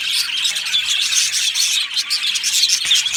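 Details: Budgie parrot colony in an aviary, many birds twittering at once: rapid high chirps and warbled squeaks blend into a constant bright chatter.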